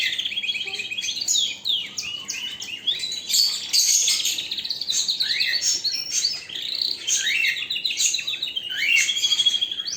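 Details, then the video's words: Continuous canary song full of rapid high twittering, rolled trills and quick up-and-down slurred notes, loud and dense throughout. "اقوى تغريد طائر الكناري"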